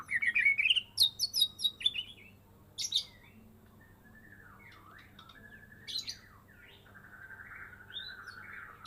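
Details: White-rumped shama of the Medan type, a caged bird kept since fledging and heard after its first moult, opening with a quick series of bright rising whistles and chips, then softer scattered slurred notes over a faint steady hum.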